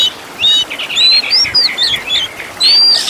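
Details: Oriental magpie-robin song from a master recording, rich in luxurious fill-in phrases for training songbirds: bright whistled notes and quick rising-falling slurs, some pure upslurred whistles near the end, bursts separated by brief pauses.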